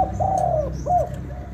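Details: Spotted dove from Vietnam in a 'kích bổi nổi' calling style: a drawn-out, gently falling coo followed by a shorter arched coo, low and mellow against a quiet background.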